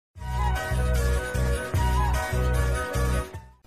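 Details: Music with a steady, pulsing bass beat and sustained melodic tones, with no animal voice heard.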